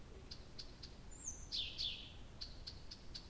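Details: Early June night at Abramtsevo, 2021: a nightingale gives evenly spaced high ticking notes, a long falling whistle and a loud buzzy burst, then more ticks.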